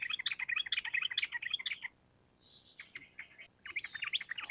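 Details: Sooty-headed bulbul delivering a long rapid ropel run of bubbly whistled notes for nearly two seconds, then a short hiss-like noise and more scattered chirps building into another fast run.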